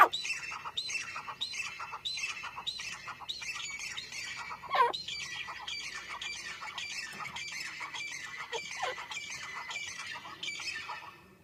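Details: Grey francolin calling: a dense run of harsh, squawking notes, repeated rapidly and stacked in overlapping phrases for about eleven seconds, with a brief louder rasp near the middle and no other clear sounds.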